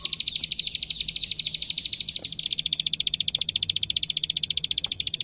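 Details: Plain prinia (klik klik, prenjak sawah) singing for a master recording used to train birds: a dense high chattering trill that settles into a regular, evenly spaced string of crisp clicks.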